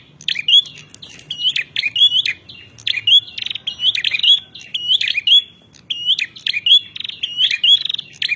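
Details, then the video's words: Bar-winged prinia singing to challenge rivals, a steady run of short phrases pairing a harsh buzzy stutter with a bright upward whistle, repeated about every half second over a quiet low hum. "Suara Prenjak Narung"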